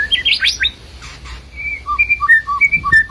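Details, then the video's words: White-rumped shama from Medan: a scratchy, buzzy burst opens, then after a short pause a series of clear flat whistles alternating between higher and lower pitches, several per second. "Burung murai batu medan"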